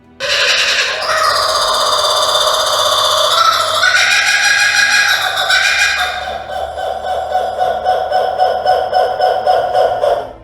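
A kookaburra's loud, raucous laugh: harsh ringing cackles that break into a fast, rolling chatter of about four notes a second before fading.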